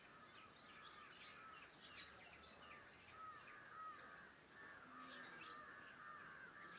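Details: Morning chorus near a farmhouse: many birds chirping and warbling together, rapid overlapping notes and short whistles over steady background noise.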